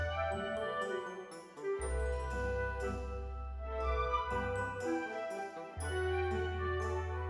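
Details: Orchestral music with bright jingling bells and a steady low bass line throughout; no animal sounds.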